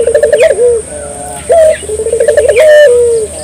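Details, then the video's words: Barbary dove song played to get local doves singing: low rolling coo with a quavering start and drawn-out ending, repeated twice, a short loud upslurred note between them, steady hiss behind. "suara burung puter gacor,merangsang burung puter lokal ikut gacor"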